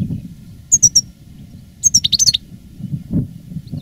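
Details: European goldfinch, caged veteran reclamo singer in 2017 after the moult, producing three clear high chirps, a pause, then a quick string of bright tinkling notes, with low background rumble.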